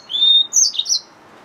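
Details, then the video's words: Song fragment from a yellow-fronted canary mule hybrid finch: a sustained level whistle followed by a few high, tumbling chirps, then quiet. "Yellowfronted canary mule | Hybrid Finch"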